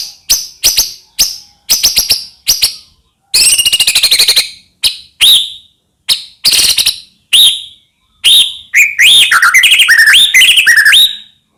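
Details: Medan white-rumped shama in full, nonstop song, used to provoke other shamas into singing. It opens with short high ticking bursts, then a rapid rattling stutter and rich looping whistles that rise and fall near the end.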